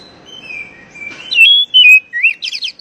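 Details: Call of an Oriental magpie-robin, used to lure a stressed, freshly caught bird out of its silence: long even whistles, then loud slurred notes that dip and rise, ending in rapid high chirps repeated several times.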